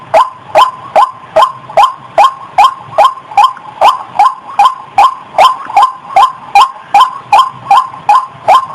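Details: White-breasted waterhen female in heat, recorded just before mating: a long run of harsh, rising 'kruak' notes repeated at a fast, even pace of about two and a half per second.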